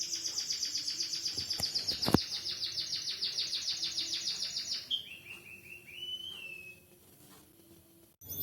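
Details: Caged white-headed munia with canary-style fill-in song: a long high trill slowly falling in pitch, then lower rising slurred whistles fading toward near silence.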